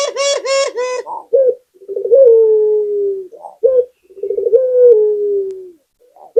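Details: Spotted dove (puter) calling as a lure sound. A series of higher, harmonically rich pulsed notes opens, then low rolling coos that drawl downward repeat twice, separated by short single notes.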